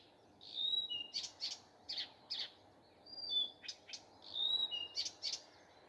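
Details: A common nightingale sings in the morning, alternating clear held whistles with sharp, rasping notes repeated in short runs, phrases separated by brief pauses.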